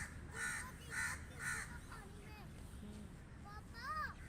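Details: A crow gives three rough, grating caws at an even pace, then quieter chirps and rising whistles of small birds fill the rest against a low rumble.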